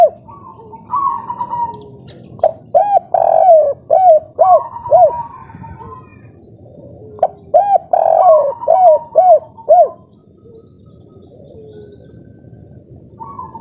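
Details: Local Indonesian spotted dove of the kuk 3 song style, singing fiercely in full breeding mood: a drawn-out low coo followed by five short arched coos, the whole phrase given twice with a quiet pause between them.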